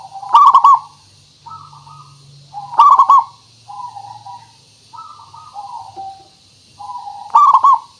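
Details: Local zebra dove cooing as a lure recording to draw replies: three loud pulsed coo bursts alternate with softer, drawn-out hummed coos across the stretch.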